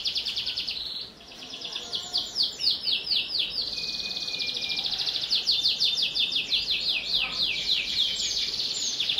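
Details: Canary in full song, used to prompt young canaries to sing: fast rolling trills and chains of downward-swept notes at high pitch, switching between tours every second or two, almost continuous.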